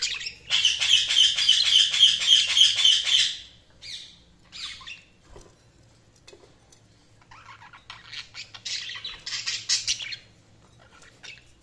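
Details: A budgie gives a rapid, even run of buzzy chirps for about three seconds, then scattered short notes, a quiet stretch and a second fast chattering burst.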